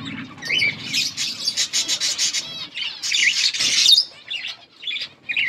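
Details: Pet budgies chatter in close chorus: rapid buzzy pulses, wavering whistled phrases and looping warbles repeat in quick succession, with a brief low hum at the start.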